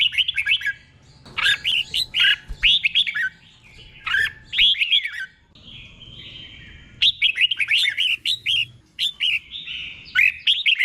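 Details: Red-whiskered bulbul in a cage singing its doubled 'berl' song, slow and clear for imitation training. Bursts of rapid, liquid warbles alternate with softer stretches and a quiet gap, then a second long burst of rising and falling notes.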